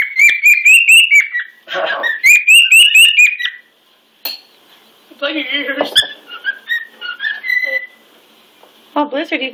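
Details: A pet male cockatiel shows off to another bird with loud, rapid whistled phrases and chirps. Raspier chattering and a faint talking voice break in midway before more whistles end the recording.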